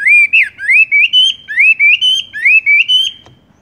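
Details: Horsfield's bush lark (wambie) in rolling tung roll song: about ten loud slurred whistles, each rising then dipping, delivered in a steady stream before an abrupt stop.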